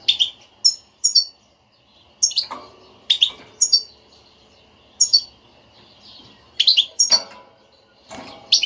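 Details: Stimulating European goldfinch twitter meant to make a silent goldfinch sing: sharp, high tinkling chirps in quick clusters, repeated every second or so with short pauses.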